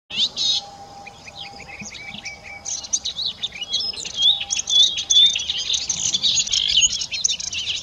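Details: Melodious warbler singing in spring after arriving in the Iberian Peninsula to breed. A fast, high, chattering warble of varied twittering notes, pausing briefly, then building into a dense, continuous stream; a faint steady low tone runs underneath.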